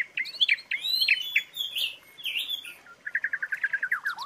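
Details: Training filler song of the Asian pied starling, with clear whistled swoops and warbled notes, a short gap, then a fast run of evenly repeated chirps that ends in a falling slur.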